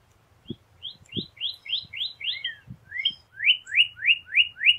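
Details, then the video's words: Cardinal song: a series of short upslurred whistles, a brief changed phrase in the middle, then five louder, steadily repeated rising slurs; a few soft low knocks underneath. "BEST CARDINAL bird song chant cardinal"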